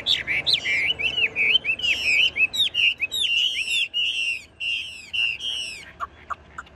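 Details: Caged tame Chinese hwamei, singing regardless of cage shaking: a quick stream of rich rising-and-falling whistles, repeated phrase after phrase for about five seconds, then a few soft short notes.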